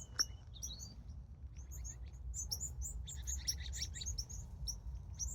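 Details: Evening birds at a California sunset give sharp, high chirps and short twittering notes that thicken into busy flock chatter, with a faint low rumble underneath.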